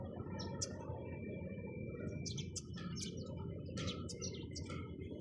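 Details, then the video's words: Sparrows chirping: short bright chips and twitters scattered over five seconds, several birds calling at once, over a steady low rumbling background hum. "চড়ুই পাখির কিচিরমিচির শব্দ Chirping sound of sparrows"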